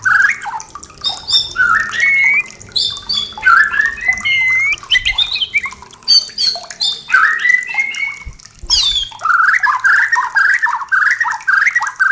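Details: Caged white-rumped shama singing to prompt mating: rich varied phrases of slurred whistles and rising sweeps, some clear pure notes, with sharp high clicks and a final run of quick repeated chirps.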